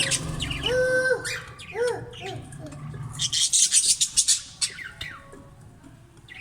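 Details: Caged green budgerigars in a breeding cage: arched, rising-then-falling harmonic calls repeated in the first half, followed by sharp high chirps and noisy chatter bursts.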